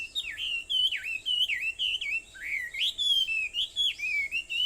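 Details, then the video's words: Singing bird on Aobayama, Sendai, at 4:30 in the morning, 21 July 2014: clear loud whistles that dip and rise in a wavy pattern, repeated roughly twice a second in an even rhythm. "Sound of Birds on Aobayama, Sendai, 2014.7.21 (4:30)"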